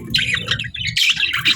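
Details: Budgies at feeding time chirping in two bursts of bright, scratchy, warbling notes, with a soft low rumble of movement beneath.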